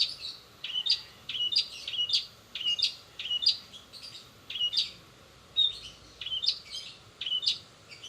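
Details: Long-tailed shrike singing in 'roll speed' style with imitated sparrow, sogon and canary phrases. Paired high chip-and-whistle notes repeat briskly in an even, bouncing rhythm.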